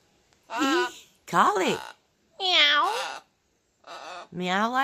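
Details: Pet blue macaw indoors, swinging on a new swing, imitating a cat: four drawn-out, nasal meow-like calls with rising then falling pitch, spaced about a second apart, while a person coaxes with repeated kitty calls.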